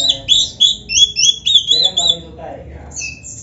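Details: Oriental magpie-robin in a brief training recording for kept birds, giving high rhythmic chirped phrases about four per second, then fading into softer notes.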